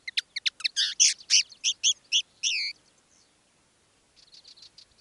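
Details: One of two caged decoy common linnets singing live: a rapid series of chips and buzzy, wavering notes ending in a drawn-out nasal whistle, then quiet with faint distant twittering.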